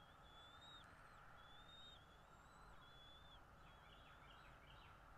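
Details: Bald eagle calling from a nest in North East Florida, captured by a nest camera on the morning of 13 February 2022; several high, drawn-out piping whistles, then a quick descending chittering series, above a constant low hum.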